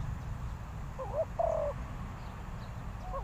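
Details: Spotted dove calling as a decoy for luring wild doves: one coo phrase with quick broken notes leading into a drawn-out falling hoot, and another phrase starting at the end, over low rumbling noise.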